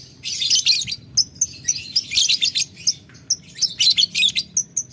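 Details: Lovebird calling a rival with ngetik ngekek, ticking and long chattering, and drawing a reply. Shrill chatter bursts mix with quick high chirps in an uneven stream.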